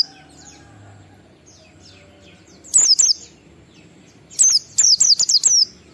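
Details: Ngalas-type song of an Oriental white-eye with a 12345-beat pattern, played so other white-eyes start singing; soft distant chirps, two loud high squeaks, then a fast run of six piercing falling notes.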